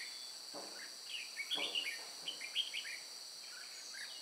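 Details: Red-whiskered bulbuls recorded during bird trapping at Chùa Hương on 9 May 2018: short whistled, slurred notes in a loose chattering series, over a steady high shrill insect drone.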